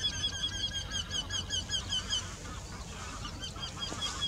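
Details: Eurasian wryneck song, two birds singing in the same tree: a run of about a dozen nasal, slightly falling 'quee-quee' notes, five per second, then a fainter answering series from the second bird.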